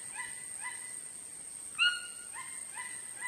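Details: Scattered short, nasal chachalaca notes, with one louder rising call standing out in the middle, against a continuous high-pitched background whine.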